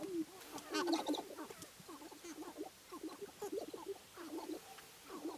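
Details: Males of the sharp-tailed grouse competing on a spring lek in Wisconsin's Namekagon Barrens; rapid clucking, cackling and short hoots from several birds, overlapping throughout.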